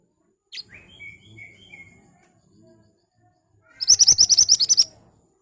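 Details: Ashy tailorbird in energetic song, a lure for prompting birds to answer: soft, lower chirps at first, then a loud rapid string of about eleven piercing high notes.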